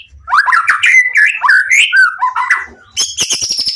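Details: Caged white-rumped shama singing to provoke other shamas into replying; fast, jumbled warbling phrases with whistled slurs, followed by a series of high, clipped ringing notes repeated quickly.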